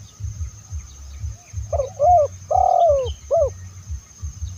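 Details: Loud coos of a spotted dove, meant as a lure for other doves, from Indonesia: a short note, a curved coo, a long falling note and a clipped final coo, set against a repeated low thudding background.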